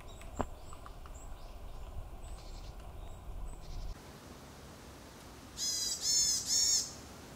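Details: Varied tit on Mount Tsukuba or in Moriya City, Ibaraki, Japan, giving three loud, nasal, buzzy notes in quick succession near the end, after faint high chirps over a soft outdoor hiss.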